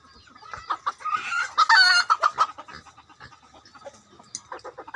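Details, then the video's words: Decoy rooster giving a short, strained crow lasting under a second amid steady rapid clucking and scattered clicking notes from fowl nearby. "Gà mồi. Qaib dib cuab tuaj zoo"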